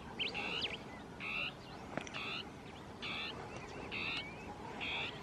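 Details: Territorial song of Northern tapaculo, two birds interacting among shrubs: brief buzzy churring notes with a quick upward flick, given at a regular pace of roughly one per second over soft background noise.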